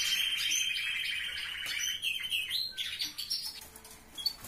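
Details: Captive canary singing in a relative's aviary: a long, even rolling trill held steady for about two seconds, then stepping to higher whistled phrases before breaking into scattered chirps from other birds.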